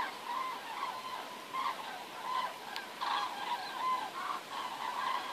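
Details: Wild geese migrating south ahead of winter over Werdohl, giving repeated nasal honks, roughly one every second, rising and falling in loudness against a constant broad rushing noise.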